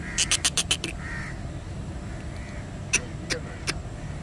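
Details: A grey francolin (Sindhi teetar), a pet let out of its cage and roaming while calling, gives a quick run of six harsh, scratchy notes, then three more about a third of a second apart, over a low background hum.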